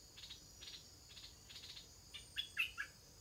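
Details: Stripe-throated bulbul young before first flight: soft rapid chirp bursts, then a few louder short whistled notes at the end, with a faint high insect hum throughout.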